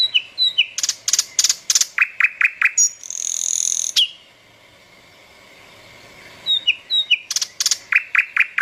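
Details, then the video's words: Bird chirps in rapid bursts of sharp, high chips and downslurred notes, broken by a long hissing buzz and about two seconds of near silence before the fast chipping resumes. "পাখির কিচির মিচির শব্দ | Chirping sound of birds"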